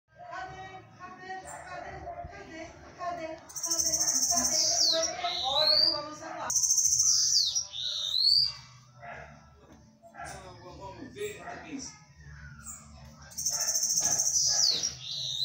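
A bananaquit gives bursts of high, thin, hissing song, with other chirps and a low hum behind.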